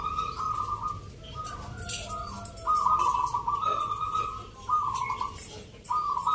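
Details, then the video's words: Local perkutut (zebra doves) singing at a rhythm-song competition in Yogyakarta, Indonesia, 19 November; several drawn-out trilled coos in phrases, background chatter and faint music. "Pertarungan sengit Perkutut lokal irama 😱Suaranya ngerih"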